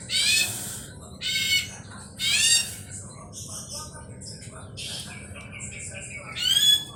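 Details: Ashy drongo lure recording to prompt singing: loud, harsh, buzzy bursts with rich overtones, separated by short gaps, then mixed softer notes and a last strident burst with a thin whistle inside it.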